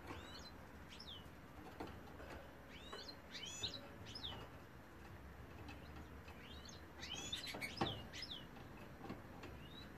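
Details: Male European goldfinch in song: busy twittering of quick, high, tinkling chirps and downslurred notes in bursts, thickest early and near the end, with a steady low background rumble.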